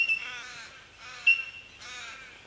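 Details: Bell miner in Victoria, Australia, in March 2011, giving three harsh, nasal, drawn-out calls about a second apart, with two brief, clear bell-like 'tink' notes ringing out among them.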